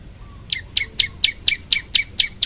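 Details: Male olive-backed tailorbird singing persistently to call a female: a rapid series of sharp, high, downslurred notes, about four per second, evenly spaced over quiet background hiss.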